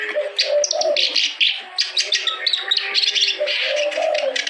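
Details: Clamorous reed warbler in full, active song, played to coax silent or lazy birds into singing: fast, dense chattering of harsh, scratchy high notes, with lower drawn-out droning notes running underneath.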